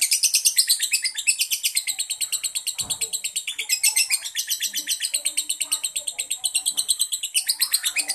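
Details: Lovebird, a yellow pied fighter type, in long continuous chattering song: rapid, dense high twittering pulses about three per second, rising and falling without pause, with faint low background sounds.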